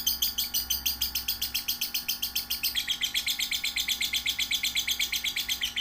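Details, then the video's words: Young lovebird, one to three months old, recorded as a training song for other young lovebirds: a fast, steady chatter of bright, high chirps, about four per second, shifting slightly lower in pitch halfway through. "Masteran suara burung love bird paud 1-3 bulan"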